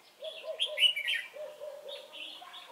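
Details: Red-whiskered bulbul used as a decoy bird for trapping, recorded at Chùa Hương on 28 November 2017; a bright warbled phrase of rising and falling whistled notes near 0.6–1.2 s, over a steady repeated lower chirping pattern.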